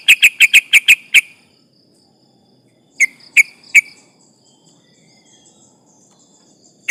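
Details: Yellow-vented bulbul in full voice, kept to rile rival birds: a fast burst of six sharp chips, silence, then three spaced chips and one final note.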